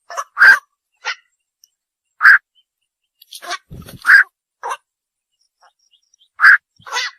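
Night heron giving harsh, croaking 'kwok' notes, single or in quick pairs, at an uneven pace about every second or two; otherwise quiet apart from a soft low thump.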